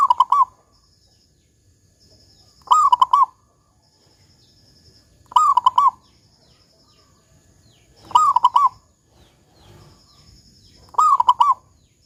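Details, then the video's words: Lively local zebra dove with a big 'kung' voice, recorded as a lure for other doves: five evenly spaced cooing phrases, roughly every two and a half seconds, each a drawn coo then quick trembling notes, faint high whine between. "Perkutut Lokal GACOR Suara Kung Besar Pancingan Burung Perkutut Agar Bunyi"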